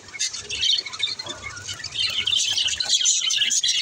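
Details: Budgerigars talking to each other: a dense, continuous wash of high scratchy chirps and squawks, building louder in the second half, with a faint low hum underneath.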